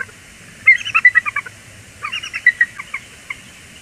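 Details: Two quick bursts of high, chattering notes in rapid succession from a bald eagle pair greeting each other loudly at Port Tobacco, USA, in January 2021, with a soft low hum behind.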